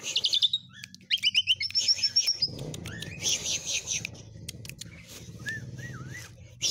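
Javan pied starling song: a varied jumble of high squeaky whistles, rapid chattering trills and a few slurred rising-falling notes, with clicks and low background rumble.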